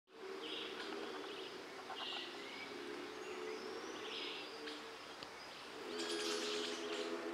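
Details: Streaked flycatcher (Myiodynastes maculatus) in a garden, watched for its behaviour, giving sharp, squeaky notes in short bursts over a busy chorus of other garden birds and a steady low hum.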